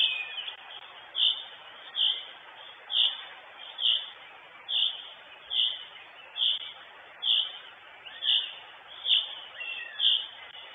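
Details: Female northern goshawk at her Estonian nest, live nest camera, 23 June 2022; a long, steady series of about twelve piercing high calls, each near a second apart, over continuous hiss.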